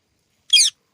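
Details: Pet green ringneck parrot giving one brief, sharp, grating squawk in otherwise silent surroundings.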